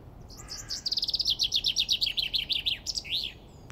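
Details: A male common chaffinch looking for a mate sings one bright, rattling phrase of fast repeated notes that slow and drop in pitch before a flourished ending, over quiet hiss.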